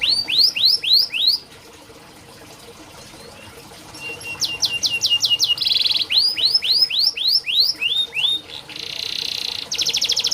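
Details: Tutor song of a canary for birds reluctant to sing: rapid slurred whistles, a quiet pause, then sharp repeated notes, buzzy trills and more fast descending phrases.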